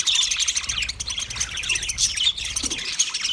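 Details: Budgerigar chirping, with bright, quick tweets and short whistled notes tumbling over one another in a lively, unbroken chatter for several seconds.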